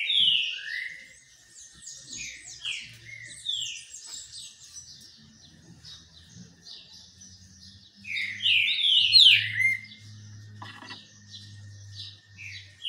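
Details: Green-winged saltator in song during a sun bath, giving bursts of loud, slurred whistles that drop in pitch. A quieter stretch of softer twittering separates two strong phrases, over a low steady hum.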